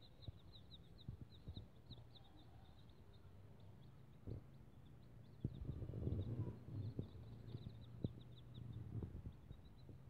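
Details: Bangkok chicken chicks, one day old, give continuous thin, high peeps in quick succession throughout, over soft low rumbling and a few knocks.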